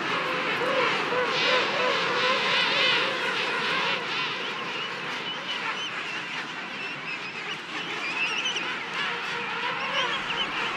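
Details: A dense, steady din of many king penguins at the Salisbury Plain colony, South Georgia, one of the island's largest, during an early-morning landing, trumpeting and honking over one another with overlapping harmonic calls several times a second.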